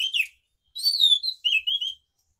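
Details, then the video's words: Scaly thrush singing in the morning in a rolling ngeroll style: three bursts of high, clear whistled and slurred notes, some falling, within two and a half seconds, with a short pause after the first. "anis macan ngeroll pagi hari"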